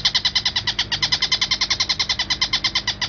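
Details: A long-tailed shrike (Lanius schach) in a clear training recording with pauses gives a harsh, grating chatter of rapid notes, about ten per second, steady and unbroken, over a faint low room hum.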